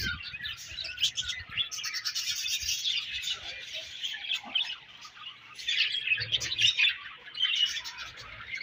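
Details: A budgerigar colony chirps busily: high, scratchy warbles and quick tweets overlap continuously, rising into louder chattering bursts around the middle and toward the close.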